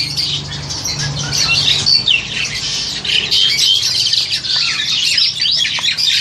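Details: Captive crested myna, about seven to eight months old and ready for a breeding cage in Indonesia, recorded on an old Samsung phone; dense, scratchy high chattering with squawky notes runs nonstop over a low steady hum.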